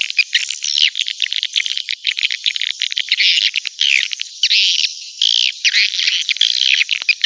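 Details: Lure recording of swiftlets meant to bring birds to a nest building: steady, crowded high-pitched chatter of overlapping chirps and buzzy trills, rising and falling in loudness throughout.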